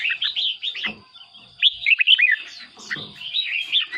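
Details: Caged red-whiskered bulbul singing, its voice played to rouse or lure other birds: nearly continuous warbled whistles in looping phrases, a brief quieter gap mid-way, with a constant high whine.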